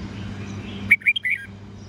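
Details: Red-whiskered bulbul singing an old-forest style morning song of 8 to 10 notes, meant to tutor young birds: a brief run of three or four bright chirped whistles over a low steady hum.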